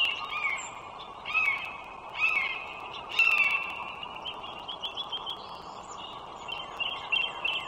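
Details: Wild bald eagles beside the Dulles Greenway toll road in northern Virginia, morning of 21 March 2023: high, slurred descending chirps repeated about once a second, over a steady low roadside hum.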